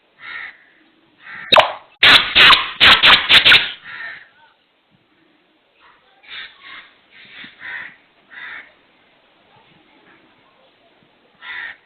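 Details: Black francolin (kala teeter), the call said to voice 'subhan teri qudrat': a loud run of sharp broadband clicks followed by a string of hoarse, grating notes spaced irregularly over several seconds.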